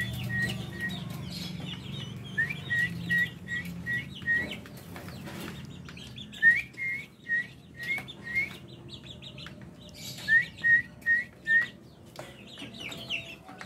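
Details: Small chicken chicks said to be laughing, an amusing sound: three runs of four to five clear, evenly spaced peeps about a third of a second apart, separated by short pauses, with faint scratchy noises behind.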